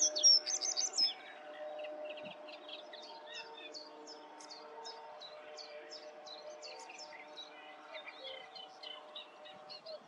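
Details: A singing common reed bunting in the Grote Netevallei, Gestel, on 28 May 2022: a loud burst of high notes, then many short, sharp chips repeating rapidly against a steady low hum and other distant birds.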